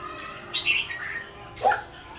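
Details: A red-whiskered bulbul, wild-caught and caged for 12 days, sings at a decoy bird. A few clear whistled notes rise and fall, then one sharp, emphatic note, over a faint steady hum.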